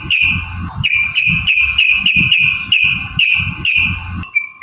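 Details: Yellow-vented bulbul singing loudly in a fighting lure recording: a dense, rapid stream of bright whistled notes on one level, pulsing about three times a second, with low thumping noise underneath and a steady tone at the end.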